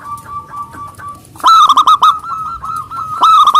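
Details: Zebra dove of local stock singing loudly to challenge rivals. A soft run of clipped notes gives way to a loud, rolling, stuttered coo of rapid pulses on a steady pitch.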